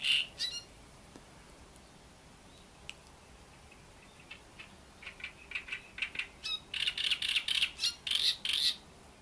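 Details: Great reed warbler singing at Bohdanečský rybník pond: a loud harsh burst, then scattered quieter squawky notes that build into a fast run of loud, grating, repeated syllables over the last three seconds, with a faint hiss behind.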